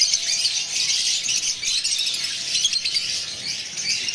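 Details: Mutation lovebirds, including a breeder pair, give a continuous stream of shrill, high chirps and squeaky chatter, several birds overlapping without pause.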